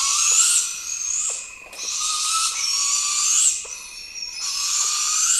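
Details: Juvenile barred owl giving long, harsh, hissing screeches with a rising end, repeated about every one and a half to two seconds; a juvenile heard means confirmed breeding.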